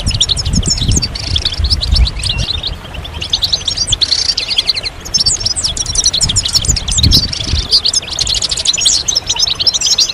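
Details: European goldfinches in a collective 'batbata', used to rouse males into singing. Fast high twitters, trills and short buzzy bursts follow one another without break, over steady low-frequency background noise.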